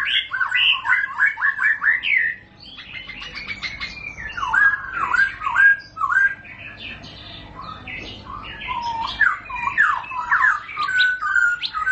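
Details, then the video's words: White-rumped shama (murai batu) giving ngentrok song in bursts: fast clusters of mixed whistled and harsh notes, broken by short lulls, then renewed rapid sequences. "Murai batu bakal langsung ngentrok"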